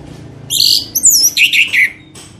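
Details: A brief, rich phrase from an orange-headed thrush lure recording, meant to prompt singing, with sweeping high whistles and then a few lower trilled notes over a faint low hum.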